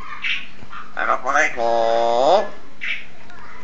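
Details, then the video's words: A tame Nias hill myna from Indonesia imitates human speech, giving short voice-like syllables, then a drawn-out harmonic phrase that bends downward at its end. A steady low hum sits underneath. "gracula robusta sounds like a human"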